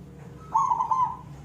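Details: Single short zebra dove coo in the koong style, a quick beaded roll of about four pulses at even pitch, against low background hum.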